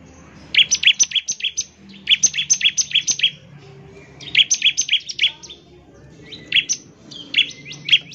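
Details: Bar-winged prinia in full, lively song, used to call other prinias and prompt them to sing. Clusters of rapid, sharp, high chirps come in four bursts of about six notes each, with short pauses between them and a faint low hum behind.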